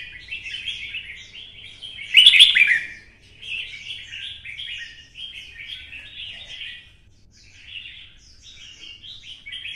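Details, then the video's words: Stimulated red-whiskered bulbul in fighting song with a twisting voice: one loud, ringing, clicking phrase followed by a long, quieter run of quick, chattering warbles. "CHÀO MÀO | Giọng xoắn - Kích chim xổ bọng căng lửa hót đấu"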